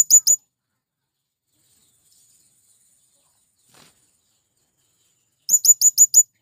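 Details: Male blue-crowned hanging parrot calling to attract wild birds; short run of high sharp notes at the start, a long silence, then a fast string of five piercing notes.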